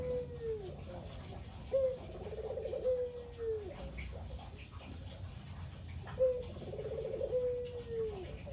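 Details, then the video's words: Talkative local Barbary dove cooing in kugeru style, meant to coax silent doves into calling: a falling coo, then two full phrases with a short rolling trill leading into a long, smooth descending note. "Burung Puter Lokal (kugeru) gacor abis // Pancingan burung puter lain biar bunyi"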